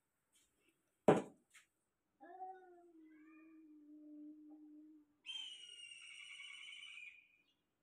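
An African grey parrot mimics a cat with a drawn-out, low, meow-like tone and then a high whistle.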